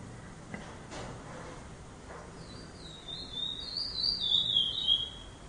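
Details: Two-year-old chestnut-bellied seed finch (curió) kept by a breeder, recorded 5 October 2011; after about three seconds of quiet background hiss, a soft, high whistled phrase warbles and wavers for roughly two seconds before fading.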